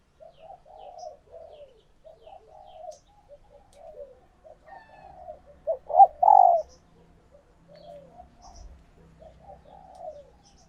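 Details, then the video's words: Caged female spotted dove in laying condition, calling so males answer and court: a long stretch of soft, quavering low coos, broken by two loud, full coo notes midway. "Tiếng Chim Cu Gáy Mái Chuẩn Kích Trống"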